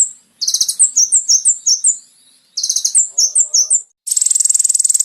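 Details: Kolibri ninja, or brown-throated sunbird, song for training caged birds: two phrases opening with buzzy rattles, then a series of sharp high falling whistles. The clip ends in a fast, shimmering high trill.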